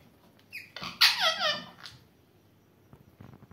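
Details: Indian ringneck parakeet talking: a burst of squeaky, harmonic, rapidly bending syllables lasting under a second, with a few softer squeaks before and quiet room noise after.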